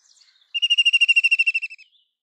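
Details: ["Soft twittering opens, followed by a White-throated kingfisher's shrill, rapidly repeated trill of about seventeen notes that descends a little and dies away within about 1.3 seconds."]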